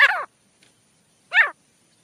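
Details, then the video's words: Male partridge (teetar) calling, used as a jungle hunting lure: two loud, grating, downward-slurred notes a little over a second apart in otherwise quiet surroundings. "Acha Teetar Ki Awaaz | 1 Hour Long Jungle Hunting Setup Sound | Teetar Calling Sound"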